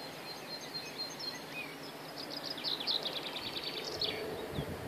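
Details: Birds singing outdoors on the Castle Hills at Bungay, Suffolk: a few faint high notes, then a rapid, bright trill of repeated chirps lasting over a second, amid constant outdoor hiss and low rumble.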